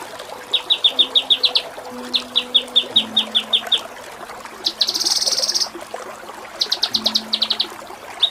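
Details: Kinoi song for training songbirds: series of clipped high chips in short runs, then a dense buzzy trill, then more spaced chips, with a faint low tone in the background.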